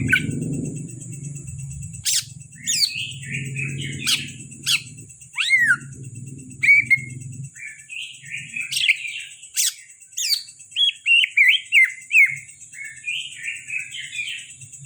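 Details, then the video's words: Kalimantan greater green leafbird, a prized kept bird, delivering quick twittering phrases mixed with sharp chips. A low rumble fills the first seven seconds, and a constant high hiss continues throughout. "Burung cucak ijo kalimantan dak kalah sama cucak ijo Banyuwangi"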